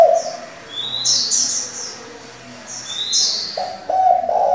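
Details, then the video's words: Decoy spotted dove with varied calls for training young doves. Brief low coo notes at start and end, with rising, squeaky high chirps in between. "Cu gáy đảo giọng liên tục, kích bổi hay, luyện CU non chuẩn!"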